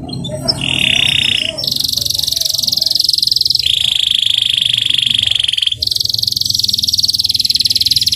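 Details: A young local canary, sunned in the morning, sings a run of fast, rolling trills, each held one to two seconds, stepping between a lower and a higher pitch, over a faint low hum.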